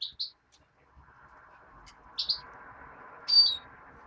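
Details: European greenfinch nestling giving short high chirps in three bursts, the last a sharper rising note, with a steady low hum underneath.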